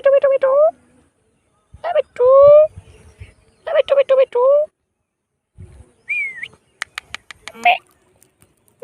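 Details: Pet Indian ringneck parrot mimicking the words mitthu and mammi: three nasal, voice-like phrases of two to four syllables with a wavering tone, then a short rising whistle and a quick run of sharp clicks.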